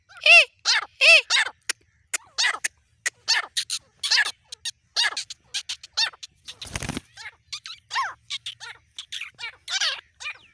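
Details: Male and female grey francolins calling together: loud ringing notes repeated rapidly in clusters, well over one per second, fading to softer notes, with a brief burst of noise midway.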